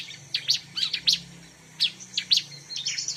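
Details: Bar-winged prinia song used for luring birds: high, sharp paired chirps spaced by short pauses, ending in a fast fluttering trill, over a faint low hum.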